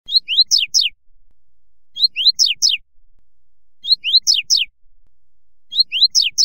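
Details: Double-collared seedeater (coleiro) singing the canto fibra song style: a short clipped note, a rising whistled slur and two quick downward sweeps, the same high phrase repeated about every two seconds, four times, with silence between.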